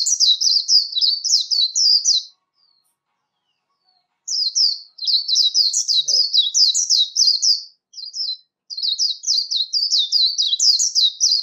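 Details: Voice-training líu song of a warbling white-eye: bright, quick high twittered phrases, stopping after two seconds for a long silence, then resuming in longer runs broken by short gaps.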